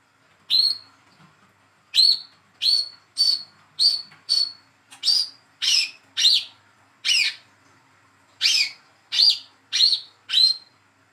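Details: Young olive-backed sunbird, speckled and hand-raised, calling to stimulate a silent sunbird to sing: a lively series of high sharp chirps, nearly one per second, some rising and falling, with brief whistled ends.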